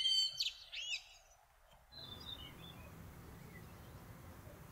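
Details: Common kestrel, an adult male preparing food for his family, recorded in June 2024: a loud, brief burst of high, harmonic calls with quick rising and falling sweeps during the first second, then only soft background hiss.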